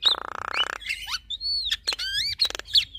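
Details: Javan myna duet, male with female: a rapid grating rattle, then clear whistled notes sweeping up and down, a long level whistle and quick chattering slurs.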